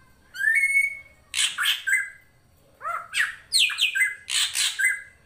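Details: Drongo master song (srigunting krantil, full fill) for tutoring songbirds: a rising whistle followed by repeated harsh, scratchy squawks mixed with short downslurred whistles.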